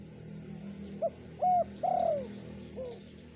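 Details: Spotted dove lure call from Indonesia: a quick soft coo, a flat sustained coo and a drawn-out falling coo, ending in a weaker downslurred note, over noticeable low hum and hiss.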